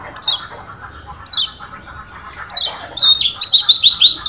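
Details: Varied song of a Lombok yellow white-eye (kecial kuning), Lombok, said to provoke rival birds: single high downslurred whistles about a second apart, building into a fast, bright cascade of chirping notes at the end.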